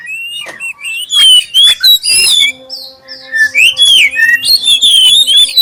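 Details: Black-chested oriental magpie-robin delivering a lure song to prompt others to sing: bright slurred whistles and quick chips, with a brief quieter stretch midway before a dense, rapid run of clear notes resumes.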